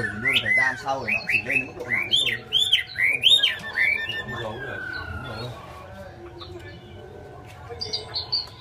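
A Chinese hwamei sings loud, rich whistled phrases that rise and fall in quick succession for about five seconds, then fades to softer notes.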